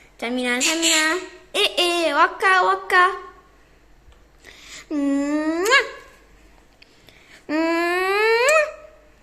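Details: Pet parrot calling indoors in a small room: harsh, harmonic-rich calls, some sliding upward, given in short bursts with pauses, then two longer rising drawn-out calls.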